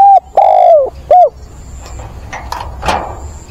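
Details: Spotted dove used as a decoy, mature-voiced, calling for a mate on 17 September: a short coo, a long gently falling coo, then a short final one, followed by light knocking sounds.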